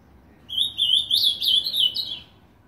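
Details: Ultramarine grosbeak in a cage on a house nail in Novo Hamburgo, Rio Grande do Sul: a sweet phrase of five or six quick, bouncing slurred notes lasting about one and a half seconds against a quiet background.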